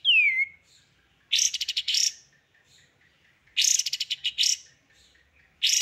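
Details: Songbird masteran training song in full 'tembakan' style: a high whistled slur sweeping downward, then two loud buzzy bursts of rapid chattering notes separated by quiet pauses, with faint scattered notes between.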